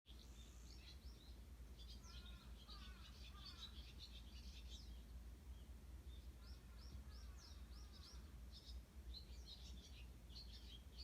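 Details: Eurasian tree sparrows calling in the early morning, recorded 18 June 2018: dense bursts of short, high chirps over steady low rumbling background noise, with two brief runs of lower, harsher calls, crows also calling in the same recording.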